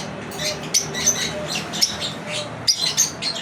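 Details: Pet lovebirds chirping during their daily routine: overlapping high sharp chirps and squeaky notes several times a second, with soft rustling underneath.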